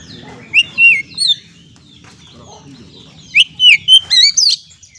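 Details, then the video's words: Oriental magpie-robin song used as a lure to get stressed birds singing: two bursts of loud, sweet whistled and slurred notes, rising and falling phrases with a quiet pause between them. "Terapi kacer stres langsung gacor dengan pancingan suara burung kacer ini"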